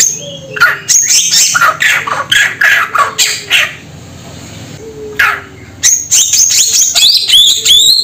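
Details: Samyong bird calling in a quick series of short, harsh, scratchy notes, then a pause with a single note, followed by clear high whistles and rising notes, over a faint low hum.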